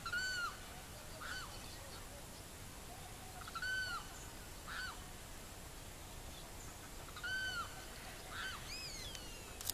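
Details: A Savanna hawk in Barinas, Venezuela, repeats arched, falling call notes roughly every three to four seconds, each paired with a fainter echoing note, over a continuous background hiss.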